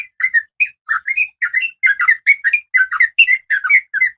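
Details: Oriental magpie-robin female in breeding condition calling for a male: quick, evenly paced chirps, each a short slurred whistle, some doubled, about five notes a second, clean background.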